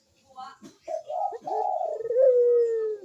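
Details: Barbary dove cooing to lure lazy doves: faint scratchy notes build into a rough coo, ending in a long, steady, gently falling tone.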